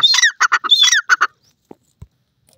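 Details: Francolin, a teetar kept at home, giving loud high-pitched calls: a rapid burst of harsh, squawking, partly whistled notes lasting just over a second, then silence broken by two faint clicks.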